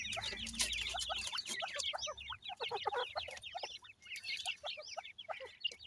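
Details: Several grey francolin chicks (Pakistani teetar) peeping nonstop, thin sharp notes sliding downward in quick overlapping bursts, with brief pauses and occasional tapping noises.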